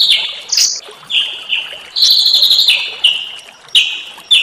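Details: Songbird phrases meant to excite a white-rumped shama: a series of short high whistled and buzzy notes at varying pitches, separated by short pauses.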